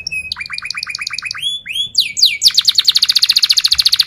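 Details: Canary singing as a lure to teach young birds: clipped descending notes, a few rising slurs, then a fast, even trill of bright notes repeated many times per second.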